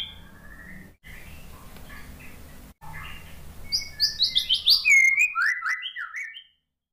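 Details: Post-moult caged white-rumped shama, stressed and quiet, responding to lure song: low murmuring background broken by short gaps, then a quick series of bright chirping notes and high clipped whistles repeated rapidly before stopping abruptly.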